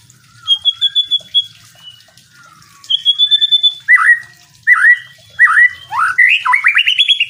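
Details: Training song of a white-rumped shama, meant for teaching other songbirds: a high, evenly pulsed trill, then clear whistles swooping downward, ending in a rapid rising series of bright, sliding notes.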